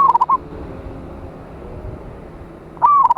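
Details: Loud local zebra dove from Indonesia calling rivals: the tail of one stuttering coo phrase opens, then after a quiet gap a second phrase, a rising note followed by quick broken notes.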